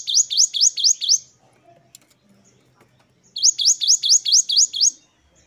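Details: Great tit singing in a training recording of 'wucit' song variations: two bursts of five to six loud, sharp rising whistled notes, each sweeping steeply upward, with a quiet pause between bursts.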